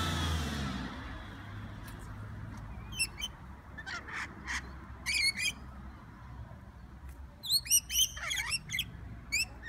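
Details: Noisy wild rainbow lorikeets in Sydney: scattered shrill squawks build into a rapid burst of overlapping harsh screeches and chips near the end, after a brief rushing noise at the start.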